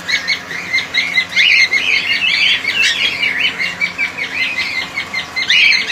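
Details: A colony of cockatiels chattering nonstop, rapid high chirps and whistles overlapping into a busy chorus, louder peaks near the start and end, faint steady hum in the background.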